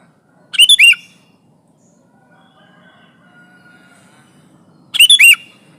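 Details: A chatty sooty-headed bulbul pressing rivals, used as a trapping lure for noisy and silent bulbuls. Two fast bubbly phrases of several bright chirps, about four seconds apart, with a faint thin tone and low hum between.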